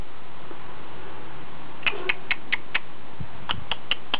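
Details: Newly hatched House Finch nestlings, four in a nest in a hanging basket, waking up to be fed while the mother is away; after a quiet start, a series of tiny high, sharp cheeps repeated about every quarter second.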